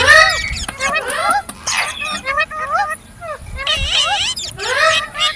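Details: Green parrot chirps in separated phrases: clear looping whistled notes, then bursts of layered harmonic chatter, with short quiet gaps between groups.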